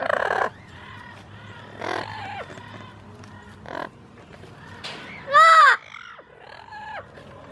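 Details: Captive Amazon parrot making cooing sounds to yellow-fronted, yellow-naped and double yellow-headed Amazon parrots: a scattered series of short, tonal, arched calls and brief noisy bursts, the loudest a bright, rising-falling harmonic note near the end, with indoor background hum.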